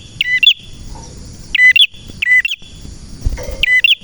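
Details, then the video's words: Male red prenjak in energetic song, kept as a training model for other birds: piercing, bright twittering phrases that drop and flick back up, repeated in four bursts with short pauses, soft background noise. "prenjak birds singing"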